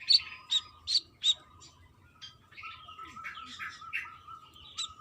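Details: Female brown-throated sunbird calling a male: four loud, bursting chirps, then a quieter jumble of softer twittering notes. A thin steady tone continues behind.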